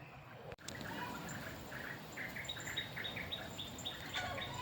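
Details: A Malaysian pied fantail, a black, shy bird, gives a quick run of short, harsh 'jik'-like chipping notes, several each second, over steady outdoor hiss.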